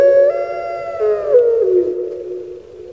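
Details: Puter pelung, the domesticated Barbary dove of Java, whose crying-like voice is heard as one long coo that steps up briefly, then slides down and fades slowly.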